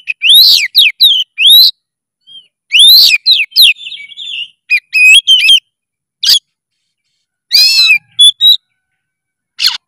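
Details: Oriental magpie-robin singing loudly: clusters of sharp rising whistles, a soft warble, quick stacked notes and harsh bursts, phrases spaced by pauses.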